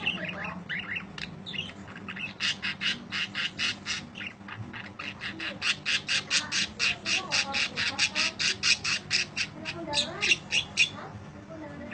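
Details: Budgerigar's long chirping, played as masteran training audio: mixed chatter at first, then a fast run of harsh, clicking high chirps about four per second from the third to the eleventh second.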